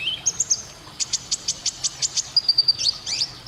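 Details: Gesekan konin canary song: a dense run of rapid, evenly spaced high chirps, roughly six per second, ending in bright twittering notes, with a quiet low background hum.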